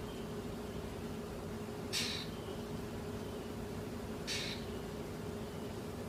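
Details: Greater Antillean grackle in Fort Lauderdale, Florida, on a Tuesday, gives two harsh, rasping notes about two and a half seconds apart, over a steady low hum.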